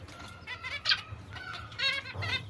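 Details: Young zebra finches with their mother give a handful of short, nasal, trumpet-like calls that overlap, each a brief buzzy honk, over a low steady hum.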